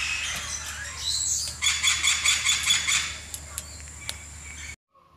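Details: Lory from a bird collection, described as gacor (a lively, vocal bird), delivering a rapid run of about seven evenly spaced, rasping, nasal notes. Sharp single clicks or chips follow before a sudden cut.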